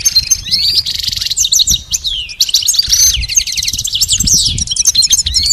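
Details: Goldfinch singing nearly continuously as a tutor recording for pet birds: tinkling, rapid chirps mixed with buzzy trills and quick rising slurs, all high-pitched, over soft low background noise.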